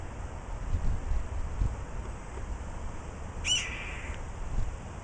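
A Steller's Jay gives a single hoarse, downslurred scream that mimics a red-tailed hawk. Steady low rumbling background noise runs throughout.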